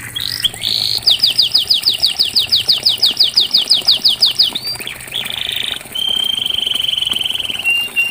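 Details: Canary song meant to coax a silent canary into singing: a rapid series of about eighteen sharp descending chips, brief slurred notes, then a level buzzy phrase and a long fine trill that drops slightly at the end.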